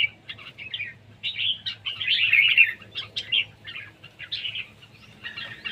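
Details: Competition singing by red-whiskered bulbul: a near-continuous run of short warbled and chirped notes, loudest in a rich, rolling phrase near the middle, with a faint low hum throughout.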